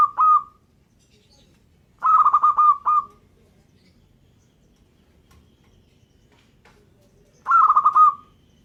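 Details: Local zebra dove (perkutut lokal) singing: short bursts of soft, pulsed cooing trills near one pitch, each about a second long, given three times with long quiet gaps between.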